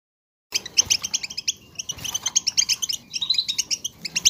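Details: Several European goldfinches twittering together, chatter used to stimulate goldfinches to sing; after half a second of silence, bursts of bright, liquid, rapidly repeated chirps follow one another with brief pauses.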